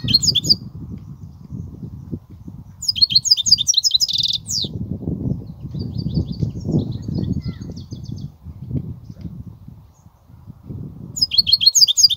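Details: European goldfinch singing in the kobia style: bursts of high, tinkling, rapid twitters separated by pauses, over steady low rumbling and thumping background noise.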